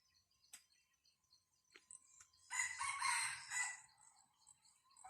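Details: Wild red junglefowl, filmed during decoy trapping in which a live bird was caught, gives one harsh, ragged crow lasting about a second, preceded by faint scattered clicks and taps.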